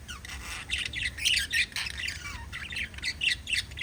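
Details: Budgerigars chattering: dense, scratchy warbling with squawks and quick chirps running together in uneven bursts, and a few higher whistled notes.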